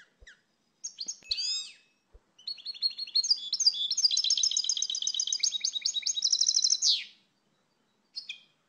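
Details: European goldfinch song: a few scattered sharp notes, then a long, dense twittering phrase of quick repeated metallic chirps that builds for about four seconds before stopping, with a brief note after a pause.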